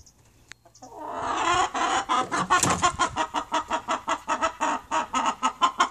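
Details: Chickens giving a loud, raspy series of clucks, a drawn-out squawk then rhythmic pulses roughly three per second, steady and strong throughout.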